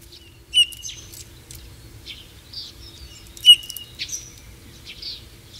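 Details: Song of a Eurasian bullfinch, a shy and secretive bird: thin whistled notes mixed with brief creaky chirps and soft squeaks in an uneven, halting sequence, against faint low background noise.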